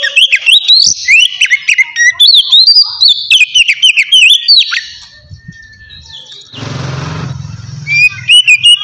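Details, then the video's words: Relaxed white-rumped shama song meant to lure wild birds: fast run of clear rising and falling whistles, then a brief burst of low rumbling noise before whistling resumes. "suara kacer ngeplong santai sangat cocok buat mancing kacer bahan"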